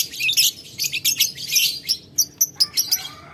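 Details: Lovebird calling a rival with ngetik ngekek song, the rival answering soon after. Shrill rolling chatter gives way to spaced, sharp high ticks.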